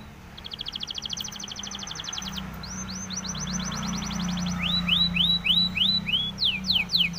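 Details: Spanish timbrado canary training song: a quick thin trill, then a series of rising slurred notes that grow louder and slower toward the end.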